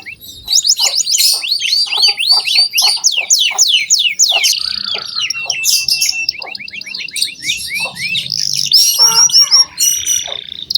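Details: Canary song for training young canaries: busy overlapping rising whistles and chattering notes, fairly cluttered, with faint low background noise.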